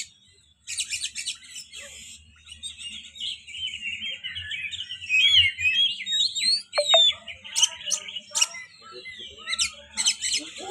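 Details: Contest-prospect magpie-robin singing; after a brief silence, harsh rattling bursts lead into a fast varied stream of whistled up-and-down slurs, sharp chips and scratchy trills, loud and continuous to the end.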